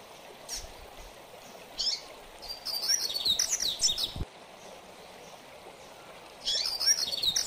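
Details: Double-collared seedeater in mateiro-style song, used for training: a short chip, then a long run of quick, high, slurred twitters, a pause, and another bright phrase starting, set against persistent hiss.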